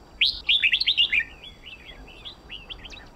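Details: Tutor red-whiskered bulbul for song-contest training: a rapid, loud run of sweet slurred whistles, then a softer trailing series of downslurred notes.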